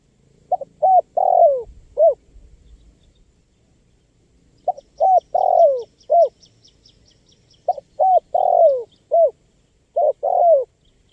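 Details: Spotted dove in full voice, recorded for luring wild birds: four repeated phrases of short hollow coos around a long descending slurred note, with faint, high, rapid ticking in the background during the middle phrases.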